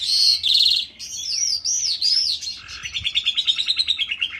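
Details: Lark in a ravine giving dzhurbay-style song: high buzzy notes, then a series of looping whistled slurs, ending in a fast, evenly spaced trill of about a dozen sharp notes.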